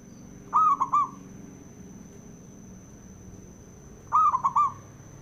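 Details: Male zebra dove (local perkutut) used as a master recording to provoke other doves into singing aggressively: two short bursts of rapid, slightly rolling cooing notes, roughly three seconds apart, over a faint steady high tone and low background rumble.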